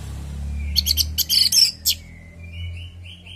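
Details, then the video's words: Natural orange-headed thrush song, used as a lure for other birds to sing back: rapid buzzy chattering notes, then softer, quieter whistles trailing off, with a low hum beneath. "Pancingan burung anis merah|Agar nyaut Dan ikut ngeplong|"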